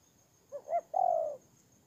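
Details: Spotted dove kept as a ground decoy bird, recorded in Tumorong, Kon Tum, Vietnam, on 23 September 2018: two short low coo notes quickly followed by one long, even, sustained coo, against a quiet background.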